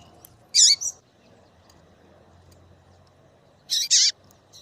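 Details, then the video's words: Calling female double-collared seedeater, kept to excite males into song, gives two quick high chirp pairs about three seconds apart against faint background hiss. "MELHOR FÊMEA DE PAPA CAPIM PIADEIRA PARA DEIXAR SEU PAPA CAPIM DOIDO PARA CANTAR LOGO!"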